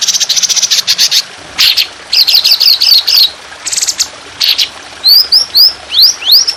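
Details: A trotolan sings on a training recording for songbirds: dense, harsh, high chattering bursts and looping notes, then upward-sweeping whistled calls repeated about twice a second.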